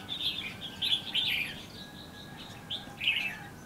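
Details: A decoy red-whiskered bulbul sings at a bush trap in Lương Sơn, Hòa Bình, Vietnam. Short, loud, rich chirruping phrases repeat about three times in under four seconds, separated by brief gaps.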